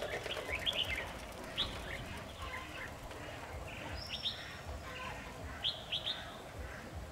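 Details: Red-whiskered bulbul, a dominant wild male described as a region's boss, trapped on 7 October 2019, singing short, bright warbled phrases in scattered bursts, some with a rising whistle, over a steady background hiss.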